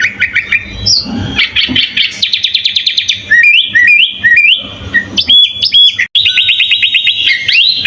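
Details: Full-isian song of the sooty-headed bulbul, made as a master for training other birds: quick chirps, fast rhythmic trills, repeated rising whistle phrases and a closing rapid trill, with a faint hum behind.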